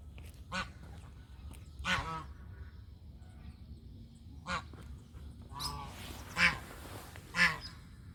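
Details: Domestic goose honking: a run of harsh, nasal calls with stacked overtones, spaced irregularly about a second apart, two louder blasts near the end, over a low rumbling background.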